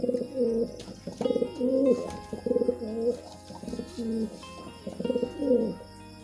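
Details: Mating pigeon cooing: clear two-layered throaty coos with wavering pitch, delivered in bursts about every second, strong and close, with a low electrical hum underneath.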